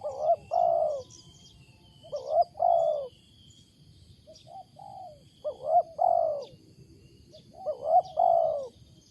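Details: Loud, unusual cooing from a wild spotted dove: three phrases, each a short rising note then a long mellow falling coo, repeated about every three seconds, with faint high bird chirps in the background.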